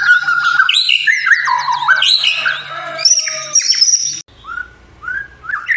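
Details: White-rumped shama singing as a provoking lure for other shamas, to draw loud song and mimicked phrases: varied loud whistles, rapid slurred sweeps and chattering notes for about four seconds, then a sudden drop to a few soft, rising whistles.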